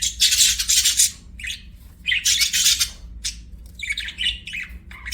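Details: Pet budgerigar chirping: bursts of buzzy, scratchy warbling chatter, each lasting about a second, with short pauses between and quieter chirps in the gaps.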